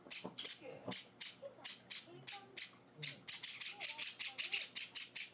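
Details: Hand-fed Java sparrow chicks, pets four days into a new home. Sharp, thin, buzzy chirps come in irregular runs, then speed into a dense string of rapid peeps in the last seconds, with faint voices behind.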